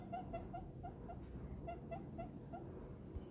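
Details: Contented diamond dove nestling in its owner's palm, giving short, clipped, soft tonal coos in a rapid, slightly uneven series of about ten notes, over a constant low background hum.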